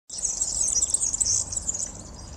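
A male European serin sings a very high, rapid, wiry jingle of buzzy twitters that runs without a break, with faint low background noise.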